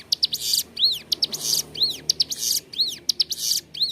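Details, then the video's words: Ciblek gunung (hill prinia) singing energetically in a clear voice, used as a master recording for training captive birds: rapid high buzzy bursts alternating with arched, whistled swooping notes, about one phrase per second. "Ciblek gunung gacor suara jernih, cocok buat masteran"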